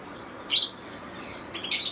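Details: Lovebirds giving two short, shrill high-pitched squawks about a second apart, with a faint chirp between, over a steady background hiss in a small room.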